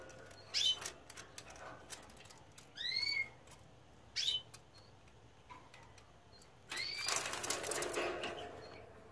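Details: Canary nestlings that have just fledged make brief shrill chirps and a pair of rising whistled sweeps. A burst of broad rustling noise follows for the final two seconds.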